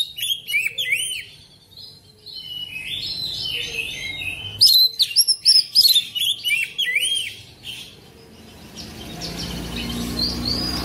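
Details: Black magpie-robin (kacer) singing a rich, varied song of quick whistled and slurred notes, some sweeping up or down, in busy bursts with brief pauses. Faint low background hum throughout.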